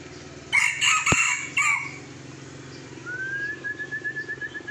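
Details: Red junglefowl in Sumatra, Indonesia, recorded during traditional decoy luring of young wild birds. It gives one short, harsh, broken crow of about a second with bright harmonics, followed by a thin rising whistle-like tone and a rhythmic background hum.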